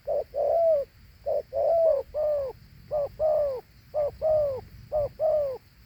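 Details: Thổ Hú dove repeating its two-note coo: a short hoot followed by a longer, falling mellow note, the pattern recurring about every second, with quiet hum behind.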